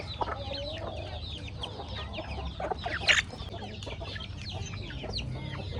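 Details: Hungry chickens taking corn in a rustic backyard farm; a constant murmur of soft peeps and clucks with one sharp, louder squawk around the middle.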